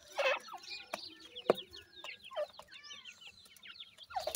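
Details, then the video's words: Iranian francolin chicks uttering quick high peeps, some louder scooping chirps rising at the end, amid sharp knocks. "irani teetar k bachay boli kartry hn, best teetar chicks boli"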